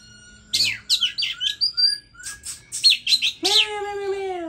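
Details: Caged Oriental magpie-robin, bought online and on its fifth day of taming, singing more eagerly after hearing a hwamei recording: quick sweeping whistled notes and chirps in a rapid run, ending in a drawn-out nasal, harmonic, meow-like note.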